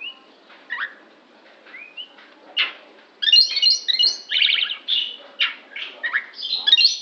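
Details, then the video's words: An odd-sounding oriental magpie-robin: a few soft upslurred whistles, then a busy run of scratchy, grating buzzes and sharp chirps in quick succession. "kacer bunyi aneh"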